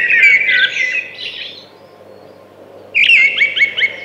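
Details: Thrush singing in two bursts of whistled, warbling phrases with quick rising and falling notes, separated by a pause of more than a second; low steady background hum.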